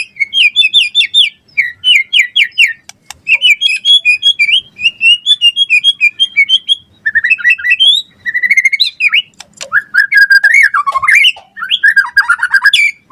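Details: White-rumped shama (murai batu) in full, varied 'gacor' song used as a lure and tutor for other shamas: rapid whistled and chattering phrases, many rising and falling notes, loud and nearly continuous with short pauses.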